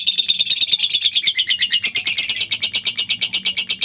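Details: Lovebird's ngekek chatter, played to coax pet lovebirds into singing: a rapid run of harsh, high, scratchy notes, a little uneven at first and then settling into a steady rattling pulse.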